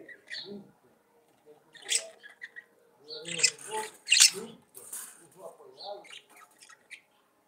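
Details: Budgerigar song with chattering warbles: bursts of harsh, buzzy chirps mixed with lower gurgling notes, loudest around the middle, then trailing into softer chatter.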